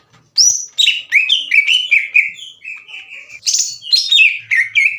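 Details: Caged greater green leafbird giving a loud challenging song aimed at rival leafbirds. Sharp high whistles run into a chain of wavering, buzzy slurs and steadier whistled notes, delivered almost without pause.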